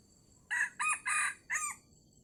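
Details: In Sumatra at the end of the fasting month, a wild red junglefowl drawn in by a decoy crows once: four quick, hoarse notes, the third stretched, the last falling away, over a low background hum.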